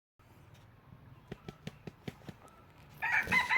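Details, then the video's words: Decoy red junglefowl kept for trapping wild birds. It crows loudly near the end, a harsh multi-part cock-a-doodle cut short. Before it come several sharp clicks spaced about a fifth of a second apart over low background hum. "Tiếng Gà Rừng Mồi Gáy Cực Hay"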